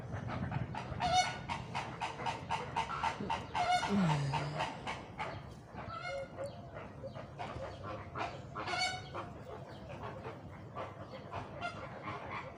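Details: Flamingo flock giving rapid, repeated nasal honks and gabbling calls, many birds overlapping in a dense chorus with a few louder honks standing out.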